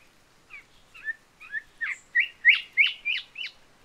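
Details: Whistled song of an Island whistler, a bird of wooded small islands: about ten quick, slurred whistles, quiet at first and then building into loud, emphatic notes repeated about three times a second.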